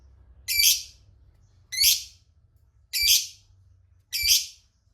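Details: Lovebird calling to draw rival lovebirds into answering: four loud, harsh, rasping squawks about every 1.2 seconds over a faint low rumble.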